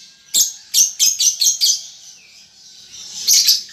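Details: Juvenile lovebird under five months learning ngetik and ngekek: five evenly spaced, sharp high chirps in a row, then a pause and a pair of closing chirps.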